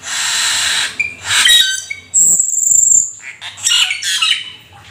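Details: Black-winged starling, said to be rare and exotic, singing vigorously with imitations: a loud rasping hiss, short whistles, a long high thin whistle, then scratchy chattering phrases.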